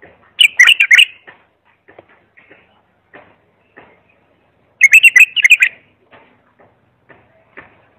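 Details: Clean bulbul singing for training young bulbuls: two repeated warbled phrases about four seconds apart, each a quick run of fluty, slightly buzzy notes, with soft clicks and faint chirps between them.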